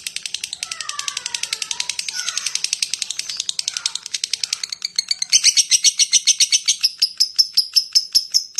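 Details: Lovebird ngetik chatter: a rapid run of dry clicking notes, softer and mixed with a few lower squeaky calls early on, then a louder, steadier train of chirps in the second half.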